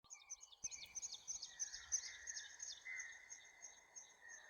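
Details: Wild birds chirping in a morning forest near a village, recorded on location: a dense chorus of high, rapid twittering notes with a steadier mid-pitched whistled tone running underneath.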